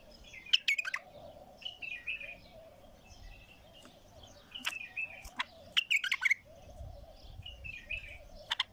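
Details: Untrained bulbul with a heavy, deep voice singing: short loud bursts of quick clicking notes and warbled phrases, separated by softer buzzy twitters, with a steady wavering tone running underneath.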